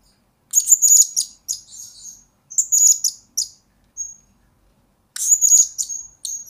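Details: Lure and master song of a blue-crowned hanging parrot: bright high chattering bursts with brief whistles between, a one-second silence, then a final rapid squeaky phrase; no background noise.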